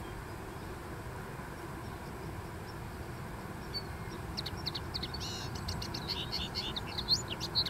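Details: Dune-dwelling common linnet: background hiss alone at first, then, just past halfway, a lively burst of quick twittering chirps and short trills that carries on to the end.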